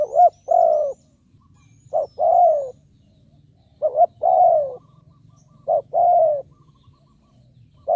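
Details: Spotted dove decoy calling to lure wild birds, repeating a short double note and a long falling coo four times, with faint high twitters in the background.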